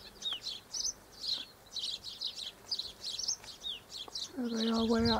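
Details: Double-barred finches (Taeniopygia bichenovii), recorded 1 December 2013 in hot sun, give a steady stream of thin, high chirps and short nasal notes, several birds overlapping; a person starts speaking at the end.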